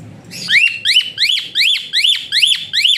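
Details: Asian pied starling delivering a rapid run of seven identical rising-and-falling whistles, roughly two or three per second, evenly spaced, a whistling song prized for training other birds to sing more.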